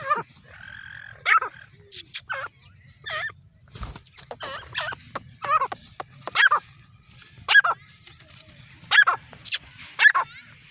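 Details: Female grey francolin calling, a series of short harmonic notes dipping and rising, repeated roughly every second or so in uneven bursts, with a quieter low hum in the background.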